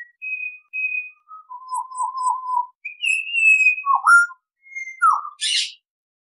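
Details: Pied Butcherbird singing a clear, melodious whistled phrase of pure notes: steady high tones, a lower wavering note, then swooping, dipping whistles and a short rasp at the end, with no other sounds.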